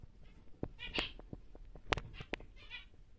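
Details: Normal grey male zebra finch, a big bird kept for breeding, utters a few nasal, buzzy harmonic notes between loud clicks and knocks from the cage.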